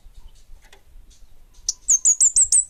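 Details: Orange-headed thrush called kemade bunga api in full song: after a quiet start with faint ticks, a quick run of bright, sharply slurred high whistled notes repeated at a steady clip.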